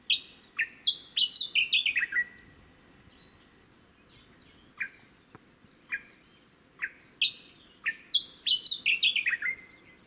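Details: Japanese bush warbler on Teuri Island, Hokkaido, Japan, 22 June 2019: two fast runs of clear whistled notes stepping downward, each closing on a longer lower note, separated by scattered short sharp calls over a quiet background.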